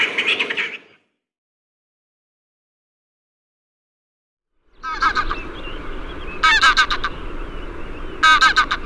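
Greylag goose giving loud, nasal honks in short bursts of two or three, over a steady background rumble after a brief silence.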